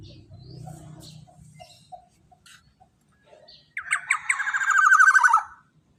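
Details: Black-naped oriole giving the long 'tembakan panjang' style of song, used as a lure and for tutoring other songbirds: after quiet scattered chirps and a low hum, a loud harsh, rapid burst of rasping, ringing notes runs for nearly two seconds.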